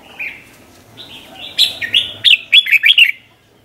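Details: Red-whiskered bulbul in the doubled 'bernl' song style, used to train young birds: slurred whistled notes build into a quick run of five or six sharp, bubbling notes, then silence.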